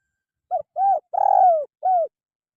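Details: Spotted dove call offered as a singing model for caged birds: a lone phrase of four mellow coos, the first short, the second rounded, the third long with a slightly pulsed start and falling end, the last rounded.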